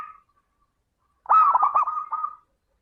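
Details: Local perkutut (zebra dove) lure song to encourage other doves to sing: one full phrase, a loud rising coo dissolving into fast, broken, stuttering cooing notes that trail off, after a faint tail of an earlier note.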